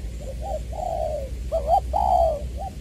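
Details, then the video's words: Decoy spotted dove in Long Đức, Trà Vinh, recorded February 2021, 'giọng tiểu' style: two soft short notes lead into a long falling coo, then a quavering note and another drawn coo, with faint background hum. "Ra mắt AE nước chơi mồi lỡ "Chuẩn Giọng Tiểu""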